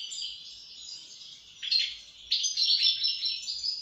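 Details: Continuous twittering European goldfinch song, a fast stream of high tinkling and slightly buzzy notes that grows louder midway, with liquid trills and no other clear sounds.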